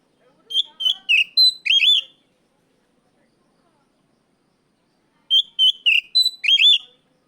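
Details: Kacer, the Oriental magpie-robin, calling a rival with loud ngeplong shouts: two bursts of rapid, sharp whistled and twisting notes, each about one and a half seconds long, separated by a few seconds of silence.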